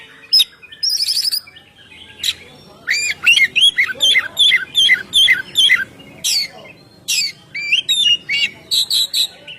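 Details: Oriental magpie-robin (kacer) song in the ngeplong style, used to lure birds and set them singing: loud varied phrases of whistled notes and harsh buzzy bursts, a run of rapid repeated whistles near the middle, short gaps between phrases.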